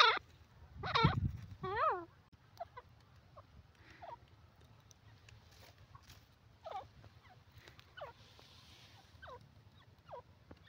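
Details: Black francolin calling: three loud, harsh, rich-toned notes in the first two seconds, the last with a wavering pitch. Fainter, similar notes follow at irregular intervals over a low background hum.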